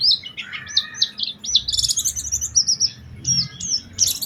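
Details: Oriental white-eye lure song meant to set other white-eyes singing: high thin whistled phrases and short slurred notes, some held briefly, in quick irregular bursts over a faint low rumble.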